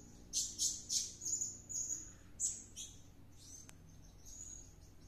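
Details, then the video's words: Blue-crowned hanging parrot in excited nonstop song after a luring trip; a quick run of loud shrill squeaks and a thin whistle, a few further chirps, then fading faint high notes and a single click. "Suara serindit gacor kerasukan"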